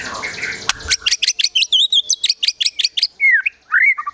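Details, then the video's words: White-rumped shama singing an agitated, varied song, as Indonesian murai batu gacor emosi with mimicked besetan and sogon-style phrases: rapid sharp chirps repeated about twice a second, then slurred whistled notes falling and rising. "Murai Batu Gacor Emosi Isian Besetan Tembakan Sogon, Kunti Dll."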